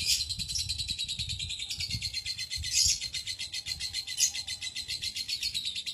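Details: Long ngekek trill from a lovebird, a style valued in contests and as a master for other cage birds, heard as an unbroken, fast, buzzy chatter that pulses steadily, with a few brief louder bursts.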